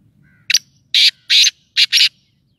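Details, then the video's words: Black francolin calling: a loud, harsh phrase of five clipped notes, a short opening note then grating bursts in a broken rhythm, all over within about two seconds, with faint low rumble beneath. "kala teetar ki awaz ! teetar ki awaz black ! teetar ki awaz full hd"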